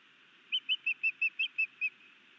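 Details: Osprey, a new male performing a sky dance and bringing a fish to his mate, at a nest cam in Hellgate Canyon, Missoula, Montana, in May: eight short whistled chirps, evenly spaced about every fifth of a second.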